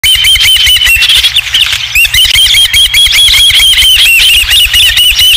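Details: Osprey at its nest at Dunrovin Ranch on 20 July 2016, as the first fish is brought back; rapid series of high, slightly downslurred chirps, about two per second, loud and continuous over steady low rumbling noise.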